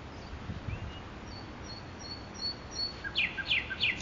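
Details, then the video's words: In Makoui park a nightingale gives scattered short high whistles, then breaks into three quick descending trilled phrases near the end; low rumbling background noise underneath. "صدای بلبل خفن در پارک ماکوئی"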